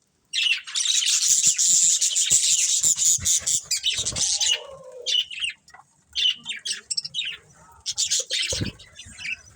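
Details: Breeding pair of budgerigars: a long, loud stretch of dense, buzzy high warbling, then looser chirps and squeaks.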